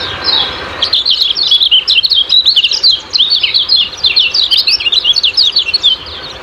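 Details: Kecial kuning in a ciak-ciak style lure recording meant to spur caged birds into singing: dense, rapid, high-pitched twittering with quick chirps and short trills running continuously after a brief quieter start.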